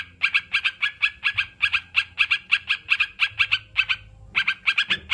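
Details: Rapid, steady run of short, sharp sooty-headed bulbul notes, mostly paired, repeating almost without pause before a brief break near the end.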